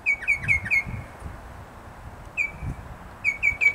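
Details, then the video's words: Mockingbird singing outside a cabin: short bursts of clear, slightly downslurred whistled notes given in quick groups of four, separated by pauses. "Mockingbird on vocals"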